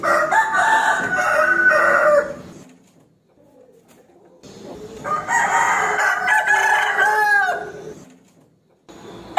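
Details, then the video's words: A rooster crowing to provoke an opponent: two long, rough crows, each over two seconds, separated by a quiet gap, the second ending in a downward break. "Suara Ayam Jantan Berkokok | Suara Ayam Jago Berkokok | The sound of the rooster crowing"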